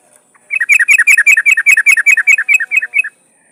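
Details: Yellow-vented bulbul female in breeding condition calling to attract a male, giving a long rapid run of about twenty sharp chattering notes, alternating slightly higher and lower, over roughly two and a half seconds.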